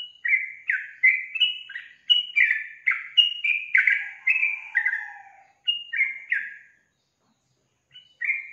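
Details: Sooty-headed bulbul in energetic song: a long series of bubbly, chirping whistles, each note slurring downward, delivered in quick succession, then a pause and a couple of final notes.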